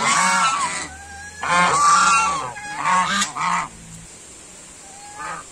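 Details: Several white domestic geese honking loudly, harsh nasal calls with rich harmonics in bursts of about half a second to a second, some overlapping, then a quieter lone honk near the end.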